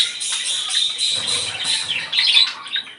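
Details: Budgerigar song to bring on breeding: a continuous, dense, scratchy warble of high chattering notes with no pauses.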